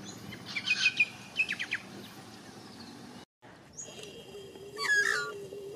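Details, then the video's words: Warbling song of a white-backed Australian magpie, recorded in Australia: scattered clear chirps and fluted notes early on, a brief dropout, then a louder gurgling phrase with a sliding whistle over a steady low hum. "White Backed Magpie / Warble Song"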